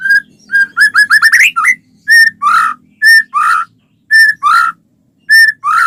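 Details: White-rumped shama song used to start other shamas singing: steady flat whistles alternating with harsher, buzzy notes, plus a short rising trill of quick whistles near the start.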